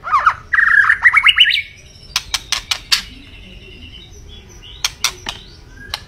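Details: White-rumped shama delivering a fast rising warbled trill, then scattered sharp clicking notes and a faint whistle.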